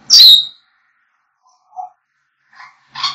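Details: African grey parrot whistling: one loud, high whistle that drops quickly in pitch, followed after a pause by a few soft, short low notes and a final rasping call.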